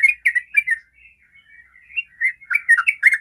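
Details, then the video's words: Sooty-headed bulbul (trucukan) lure song to prompt other birds to sing: a rapid, chattering run of bubbly whistled notes, dipping and rising, with a softer warbled stretch in the middle. "pancingan suara Trucukan ropel"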